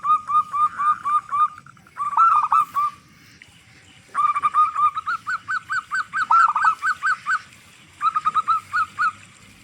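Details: Local zebra dove with a loud voice, played as a lure for other zebra doves: several phrases of rapid, punchy cooing notes, some beginning with a rolling trill, separated by short quiet gaps.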